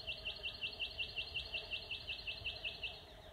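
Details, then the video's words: Rufous Whistler recorded on an iPhone at a wetland in Paringa Paddock National Park, South Australia: a steady string of clear, ringing notes, about five per second, evenly spaced and unchanging in pitch, over low background noise. "Also at the end is a recording of the Rufous Whistler."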